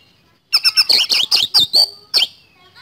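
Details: A fast burst of 'speed roll' song from an Oriental magpie-robin (kacer): about eight loud, clipped whistled notes delivered in quick succession, then a pause and one final sharp note.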